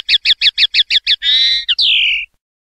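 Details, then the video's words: Common linnet singing in the clean "pardillo limpio" style valued in Spanish silvestrismo: eight crisp, evenly spaced chipping notes in quick succession, then a buzzy rolled trill, a short click and a long bright descending whistle, loud and clear with no background. "PARDILLO LIMPIO"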